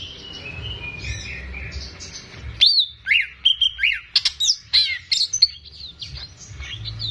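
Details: Greater green leafbird, a caged bird in full song, used to prompt untrained birds: after quiet murmuring, loud sharp whistled notes, slurred upsweeps and chirps burst out in rapid, varied sequence from about two and a half seconds.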